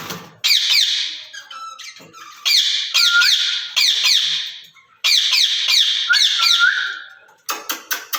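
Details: Two caged rose-ringed parakeets chatter to each other in Urdu and Hindi: three long runs of harsh, buzzy, rapidly repeated syllables, each with a short steady whistle near the end, separated by brief pauses.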